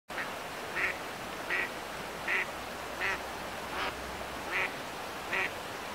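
An Eastern spot-billed duck quacks about eight times, harsh nasal quacks spaced under a second apart, over a steady low background hiss.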